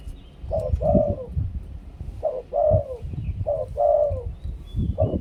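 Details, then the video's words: Spotted dove from Thailand cooing in the two-kuk 'khu-ang' style: three well-spaced phrases of two hollow notes each, the second note longer and drawn out, against strong low-pitched background noise. "นกเขาใหญ่ 2 กุก คูอ่าง เสียงต่อชัดๆ"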